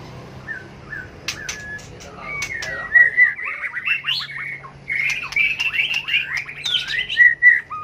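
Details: White-rumped shama performing a competitive fighting song: a few soft whistles, then dense rapid warbling of rising and falling notes with sharp clicks, a low hum in the background.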